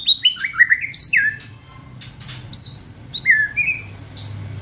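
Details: White-rumped shama song with scattered clear whistles and short descending slurs between quieter gaps, over a low background hum.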